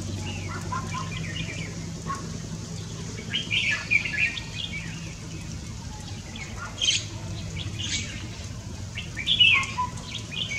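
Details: Red-whiskered bulbul recorded 3 March 2024: short bright warbled phrases around 4 and 7 seconds and again near 9.5 seconds, separated by quiet gaps over a steady low hum.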